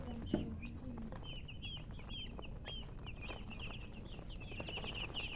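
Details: Baby chicks chirp in a dense, overlapping stream of short high peeps, with a brief knock at the start and low background noise.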